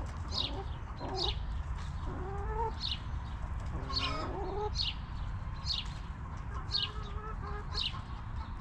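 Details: Backyard chickens in a cozy coop murmur in low, gliding clucks and one stacked, harsh cluck near the middle, with a wild bird's sharp, falling chirp repeating about every second and a constant low background hum.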